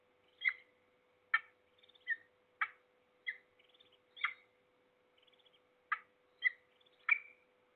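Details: Calls of a peregrine falcon from Trzebież Forest District, Poland, 6 September 2022, in the morning: separate harsh grating notes at uneven intervals, interspersed with soft rapid chittering, a low hum behind.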